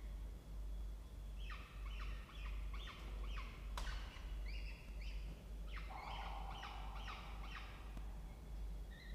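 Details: Peregrine falcons at a nest box in a water tower at Charles Sturt University, Orange, New South Wales, Australia, with nestlings, 16 October 2024 at 07:21: harsh, harmonic notes repeated in quick bursts, two runs of calls over a steady low hum.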